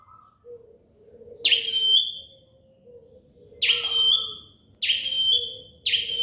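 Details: Bar-winged prinia, a tiny bird kept by bird fanciers, repeats a shrill, high note four times. Each note is a sharp onset drawn into a steady whistle, and the notes come closer together toward the end. A faint low hum sits beneath.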